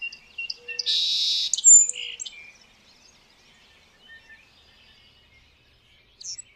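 A song sparrow gives one quick song phrase: sharp high notes, a dense buzzy trill, then a thin whistle and lower chips, followed by quiet.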